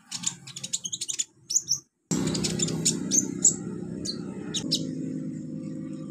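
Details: Olive-backed sunbird song used to train beginner birds: fast, high chittering chips, a brief gap, then scattered sharp high notes over a loud steady low-pitched hum.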